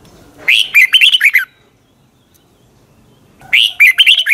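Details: Long twisted double-voice morning song of a red-whiskered bulbul: two near-identical, rapid warbled phrases of clear whistled notes, about three seconds apart, with quiet between.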